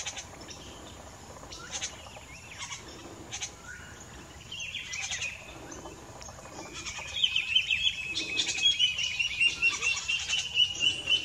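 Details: White-tailed jay (Cyanocorax mystacalis) at Reserva Ecológica Arenillas IBA in May 2018 gives scattered harsh, throaty calls, then a louder run of quick, clipped notes repeated about twice a second toward the end.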